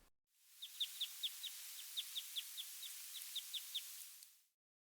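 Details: A small flock of Red Crossbills flies past in a ponderosa pine forest on a late October day, giving a crisp chorus of about fifteen sharp, high chips, several a second, over a steady background hiss.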